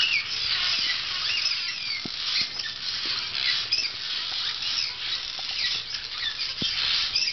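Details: A flock of barn swallows (Hirundo rustica), summer visitors at a camp, twitters nonstop with many high, squeaky overlapping chirps, soft wing flutters and light pattering underneath.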